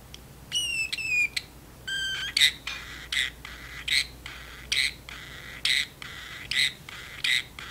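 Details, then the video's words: Caged pet parrotlet talking back and forth with its owner in the kitchen: short descending harmonic phrases, then sharp high chirps repeated roughly every 0.8 seconds. "talking parrotlet"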